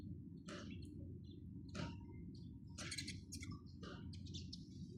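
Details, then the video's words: Sparrows chirping: short, bright chirps in scattered bursts, some clustered and overlapping near the middle, over a steady low rumble of background noise. "চড়ুই পাখির কিচিরমিচির শব্দ Chirping sound of sparrows"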